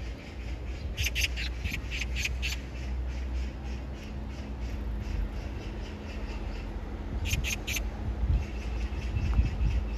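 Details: An Oriental magpie calling for a mate while bathing gives a harsh, rattling chatter of about six rapid notes, then a shorter burst of three, over a steady low rumble.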